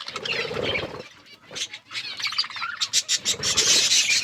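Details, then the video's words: Budgerigars eating food and playing, giving busy, scratchy chirps and warbled chatter at high pitch, with a brief pause before denser overlapping chirping resumes; some low rustling underneath. "Birds eating food budgies chirping sounds and playing"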